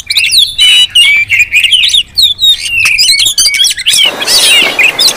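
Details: Crowded Oriental magpie-robin calling intended as a lure, with stacked high whistles and brisk chirps, then a sudden hissy burst of overlapping notes near the end.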